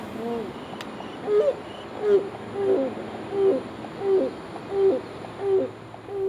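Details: Grey crowned crane (Balearica regulorum) at Seletar, Singapore, believed the only one left in the wild there, giving low, hollow hoots with a slight upward lilt about every 0.7 seconds over a faint steady hum.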